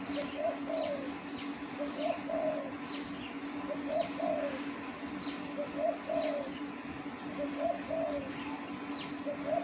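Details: Wild spotted dove cooing steadily: about five mellow phrases, each a short note followed by a longer falling coo, repeating roughly every two seconds, with a constant hum and faint high chirps of other birds.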